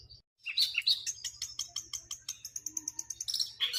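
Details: Long-tailed shrike song: a burst of sharp high chirps, followed by a fast, even train of ticking notes, with a low mechanical hum underneath.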